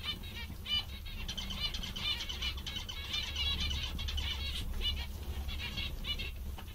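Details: Cheerful zebra finches chatter with dense runs of short nasal notes, many overlapping, as if several birds call at once, with a constant low rumble underneath.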